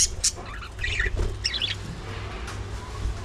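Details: Budgerigars chatter during early morning feeding: rapid, high, scratchy chirps in quick clusters, about four per second, over a low background hum.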